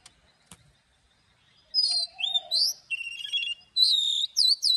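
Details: Oriental magpie-robin giving a morning song in the forest-voice style with long notes, used in song training: after two sharp clicks, loud varied whistled phrases, some sweeping up and down, with a faint low cooing note in the background.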